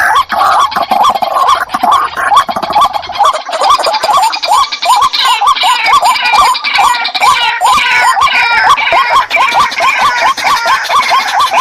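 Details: White-breasted waterhens calling as a pair, a steady run of short rising hooked notes at roughly two per second that keeps going without a break, harsh and grainy with noisy upper overtones.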